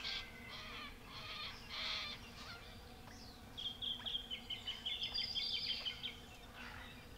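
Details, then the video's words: Jacky winter (Microeca fascinans) singing on a chilly early spring morning around 9am, early September 2018, in restored habitat in the Capertee Valley, NSW: a fast run of about fifteen sharp repeated notes after loud chattering from other birds. "Wonderful sounds of spring – a Jacky Winter sings"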